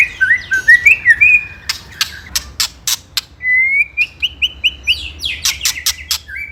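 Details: Ketrekan-style white-rumped shama song for provoking rivals: looping whistled notes, a run of sharp rhythmic clicks, a long steady whistle, then more clicks and short whistles.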